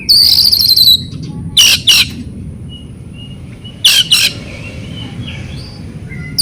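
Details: Loud buzzy chattering trill from an oriental magpie-robin, then two pairs of harsh rasping notes about two seconds apart with faint whistles between; the recording aims to prompt silent or stressed kept magpie-robins to sing.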